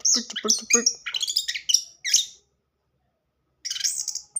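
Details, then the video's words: Modern-style orange-headed thrush song played to draw a silent bird into singing: quick tumbling high notes with some lower tones, fading out, then after a second's silence one more bright, slurred phrase. "anis kembang gaya kekinia pancingan burung bisu"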